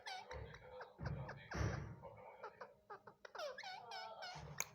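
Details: Pet Indian ringneck (rose-ringed) parakeet mimicking a cat with a run of short, nasal "meow" calls in quick succession, with bumps and handling noise in a small room.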